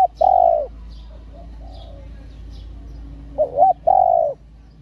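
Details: A female spotted dove's stimulating call for male doves: a long even coo, a pause with faint distant coos, then two short wavering notes and another long coo.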